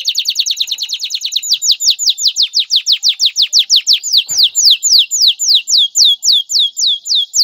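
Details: Male canary singing to prepare a female for mating and nest building: quick notes accelerate into a long series of clear, downslurred whistles repeated roughly four times a second.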